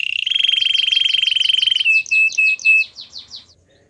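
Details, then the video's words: Belgian canary singing a training song: a loud, level, buzzing roll held for nearly two seconds, then a few clear whistled notes and fading downslurred chips. "Warm up your belgian canary!! The best canary training"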